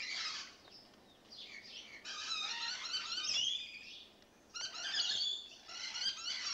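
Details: Rainbow lorikeets newly settled in, behaving actively: dense, grating screeches and shrill chattering, loud bursts alternating with brief lulls, several birds calling over one another.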